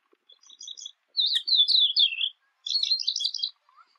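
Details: Squeaky, chattering calls of a jungle babbler: a few faint notes first, then two loud bursts of rapid, slurred, descending chirps separated by a brief silence.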